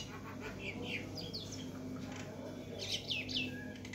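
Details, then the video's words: Myna at a window giving quick chirps and short, steeply falling whistles, sparse at first, then a brighter cluster of three or four near the end, with a faint low hum throughout. "Mynah Bird Talking on My Window"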